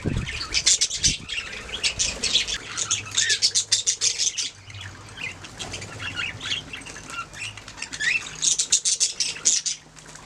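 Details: Budgerigars chirping and singing, bursts of rapid high chatter and squawks separated by quieter gaps, with some flapping and rustling noises.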